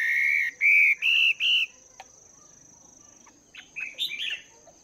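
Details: Caged wild-caught Chinese hwamei, two months in captivity, during morning voice training: three long buzzy harmonic notes, a pause, then a short burst of bright twisting whistles.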